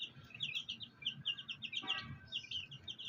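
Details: Black hen accompanied by fighter chicks; a dense chorus of high, piping peeps in rapid overlapping series, with a short lower sound near the middle and faint low background noise.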